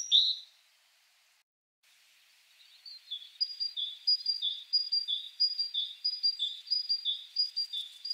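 A great tit repeats a bright two-note phrase, a higher note dropping to a lower one, about twice a second. A single sharp note sounds before a brief pause.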